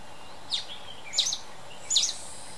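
Mountain Bulbul giving three short, sharp squeaky notes about two-thirds of a second apart, each a quick high sweep, over a steady low background hum.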